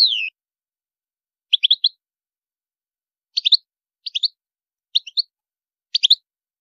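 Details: European goldfinch with high maqamat: short bright chirp triplets repeated about once a second after an opening falling whistle, with silent gaps between bursts.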